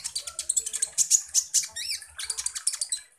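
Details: Sunbird (kolibri ninja) singing as a lure to provoke rivals. Very rapid, high-pitched chips run almost continuously, broken by a couple of arched whistled notes near the middle, with faint low thumps underneath.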